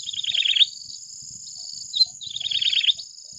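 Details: Yellow-bellied Prinia delivering two buzzy, rapidly wavering song phrases separated by a short high note, accompanied throughout by a level, shrill drone.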